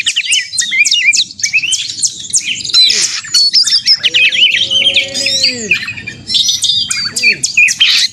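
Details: Oriental magpie-robin (kacer) in a fighting song, used to provoke other magpie-robins into singing; a dense, fast stream of high chirps and sweeping whistled notes, with lower drawn-out tones in the middle of the passage.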